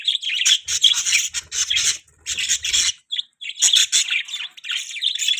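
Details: Budgerigar chatter: dense scratchy, buzzy warbling with quick chirps in bursts, broken by a short pause near the middle, with faint low rubbing noises.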